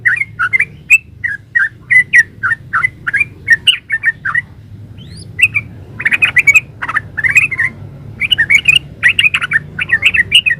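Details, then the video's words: Trucukan (yellow-vented bulbul) giving a long 'gacor ropel' performance: continuous chattering, gurgling notes repeated rapidly, briefly pausing near the middle before becoming even denser and louder, harsher bursts; steady faint low hum behind. "Suara burung trucukan GACOR ropel uplik"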